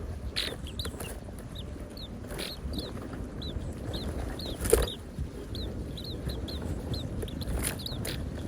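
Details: Parent birds feeding hungry chicks in the nest in the wild. Short high chirps repeat steadily throughout, several per second at times, over a constant low rumble, with occasional broad noise bursts.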